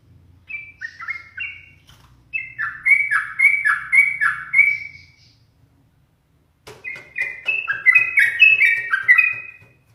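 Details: Yellow-vented bulbul in captivity, often provoked by its owner, delivers repeated gurgling whistled phrases in two bursts, the second opening with a sharp rattle-like click series.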